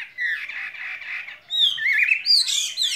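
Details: Caged skylark with a soft buzzy warble at first, then louder high whistled slurs and sweeping chattering notes.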